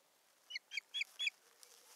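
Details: Osprey at its nest in northern Satakunta, Finland, 7 May 2019, as the male brings twigs and busies himself, giving four short, high whistled chirps in quick succession, about four per second, against a quiet background.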